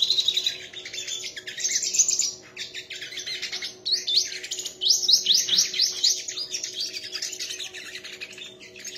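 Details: Sunbird singing in a song contest, a rapid, high-pitched run of twittering, sputtering notes that keeps going almost without pause, with faint hum underneath.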